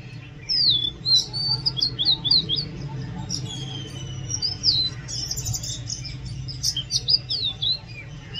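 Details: Oriental magpie-robin song, loud and varied: sharp downward-slurred whistles in quick series, a long thin glide, then buzzy chirps and more slurred notes, with pauses between phrases and a low background hum.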